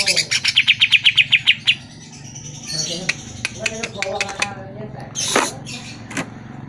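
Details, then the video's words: Greater green leafbird song used as a lure to make caged birds answer and sing: a rapid series of about ten clear whistled notes near the start, then scattered chirps and harsh squawks, with faint voices and music in the background. "Pancingan Suara Burung CUCAK IJO Dijamin NYAUT"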